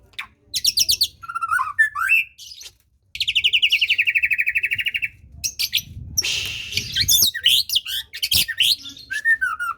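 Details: Song of a white-rumped shama, used as playback to prompt a lazy bird to sing: high sharp whistles, a long rapid buzzy trill, then scratchy notes and sweeping whistles in quick succession.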